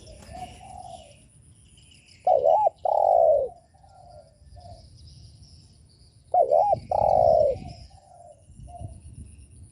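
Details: Spotted dove cooing to provoke rival doves: two loud phrases, each a quick wavering double note followed by a long full coo, with softer distant coos and background noise in between.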